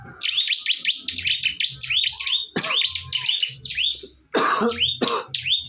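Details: Fiercely fighting bar-winged prinia giving quick runs of sharp high descending whistled notes, broken by loud broadband clicks or thumps, with a faint low hum underneath.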